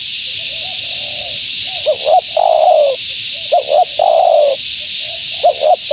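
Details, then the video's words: Spotted dove female coos to entice wild birds; soft low coos lead into paired short rising notes and a long bright descending coo, the pattern repeated twice amid background hiss. "Suara Burung Tekukur Betina Gacor‼️Tekukur Liar Pasti Tak Tahan Mendengar Suara Ini"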